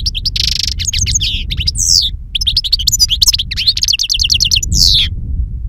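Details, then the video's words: Two-year-old European goldfinch delivering wild-style song with a strong timbre and long calls: buzzy rasps, rapid repeated chips and slurred notes, over a steady low rumble throughout. "Jilguero Reclamo Canto Silvestre Puro"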